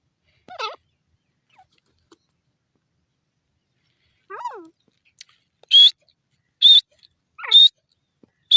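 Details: Grey francolin (dasi teetar) building from soft, wavering low notes to a fast run of four loud, shrill, grating calls less than a second apart.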